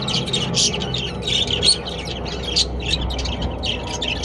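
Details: Budgerigars from a breeding pair and family give bursts of scratchy, high chirps and squeaks that come every half second or so. A constant low hum runs through the background.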